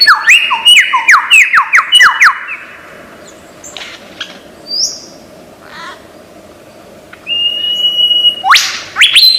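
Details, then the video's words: Australian forest lyrebird imitating other sounds: a rapid series of descending whistled notes, a quiet pause with faint calls, then a level whistle and a burst of sharp notes. "Lyre Bird Burung 1001 Suara"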